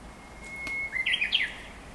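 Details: Japanese bush warbler singing at the Gotoh Museum: a long, steady, pure whistled note held nearly a second, then a quick rising and falling warbled flourish, over faint background hiss.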